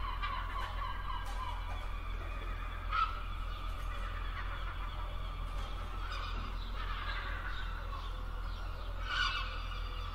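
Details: Seaside gulls giving scattered harsh, harmonic yelps, a few louder squealing notes standing out every few seconds against a constant low rumble of wind or surf.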